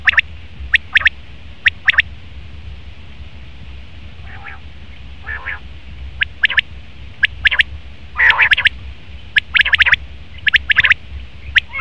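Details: Male common quail: scattered sharp clipped notes in pairs and triplets with pauses between, plus a few softer, broader rasping notes, against a steady low hum.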